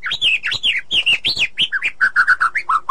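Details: ['A female white-rumped shama calls to the male in the forest with rapid, loud, rich warbling. Quick chirped notes arch up and down, ending in a string of lower, even whistles.']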